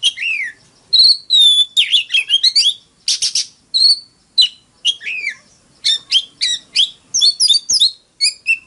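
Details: Magpie-robin fighting song, Oriental species: loud whistled slurs, quick stuttering chirp series and buzzy trills, with phrases of varied pitch following each other rapidly.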